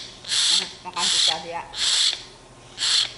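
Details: A tame young pet hill myna, cranky and wanting to eat bread, begs for food with four harsh, hissing screeches, each under half a second, repeated about once a second.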